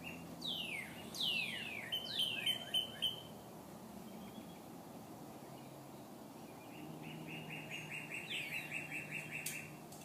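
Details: A pet eclectus parrot named Max, indoors while being coaxed by its owner, gives several sharp, falling whistles, then a rapid chattering burst and a later run of quick repeated notes, over a low indoor hum.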